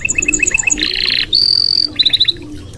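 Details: Red canary song used as tutor material: quick repeated chips, then a dense buzzy trill, a long pure high whistle, and a final fast run of bright notes, all within three seconds.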